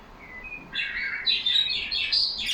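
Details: A caged pet budgerigar among yellow birds chattering: a soft thin whistle first, then a rising burst of bright, buzzy warbling that grows louder and busier to the end.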